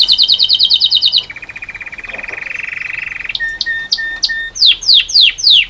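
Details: A singing cock canary in full song gives quick, bright tours: a fast high chatter, a rolling lower trill, clipped whistled notes, then swooping down-slurred phrases.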